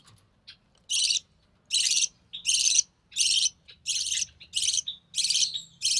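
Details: Young recessive pied budgie, hatched early June 2020, during feeding by its mother; a regular run of grating, buzzy rasps, each roughly a third of a second, spaced about every 0.8 seconds.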